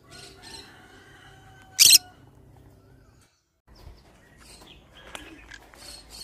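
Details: Pineapple green-cheeked conure kept as a pet lets out one sharp, grating screech, followed by scattered faint chirps and rustling against low background hum.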